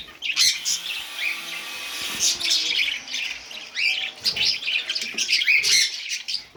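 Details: A small captive colony of budgerigars chatters with continuous high warbling, chirps and scratchy squawks overlapping throughout.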